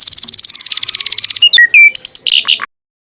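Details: Canary master song for training other birds: a fast, rattling high trill of about twenty notes, then clear slurred whistles and brief chirps before the song stops into silence.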